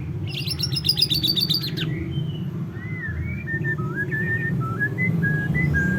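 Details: White-rumped shama (murai batu) song: a burst of rapid high chattering notes, then a series of clear whistled notes at varied pitches, over steady low rumbling background noise.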